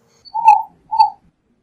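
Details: Eared dove song: a pair of short, mid-pitched cooing notes, the second slightly shorter, in silence.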